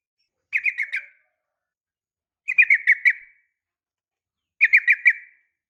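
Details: Female Sooty-headed bulbul calling a male: three short bursts of four quick, buzzy chirps each, spaced about two seconds apart, in otherwise quiet surroundings.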